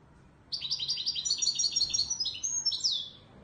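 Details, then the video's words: European goldfinch singing in the Moroccan Widani Marrakchi style: a fast run of bright, liquid twittering notes starting after half a second, repeated chirps climbing and dipping, ending in a sharp falling high note; faint low background hum. "تغريد_الحسون_الويداني_المراكشي الأصيل"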